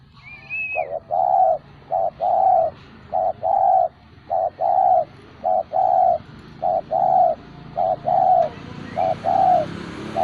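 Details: Spotted dove kept as a hobby bird, cooing persistently: a steady run of paired hollow notes, a short coo then a longer vibrating one, about one pair per second. A brief high whistle sounds at the start.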